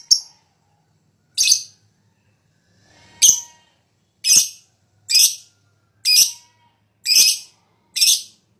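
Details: Fighter lovebird in high breeding condition, lure song: harsh, high, scratchy chirps spaced roughly one per second, each brief and shrill, with near silence between.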